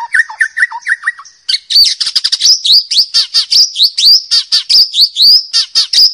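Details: White-rumped shama from the forest singing loudly and sweetly: a run of repeated falling whistles opens, then a dense stream of sharp, high chirping notes and buzzy trills delivered rapidly for several seconds.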